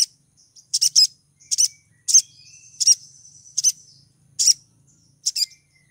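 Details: ['Crimson sunbird female in heat, calling to lure a male; a quick series of high, piercing double chips spaced under a second apart, with soft high twitters between them.']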